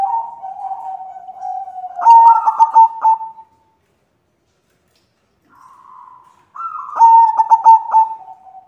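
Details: Female white zebra dove calling to a male: soft drawn-out low coos followed by a louder phrase of rapid pulsed, stuttering notes, with a pause before the pattern starts again.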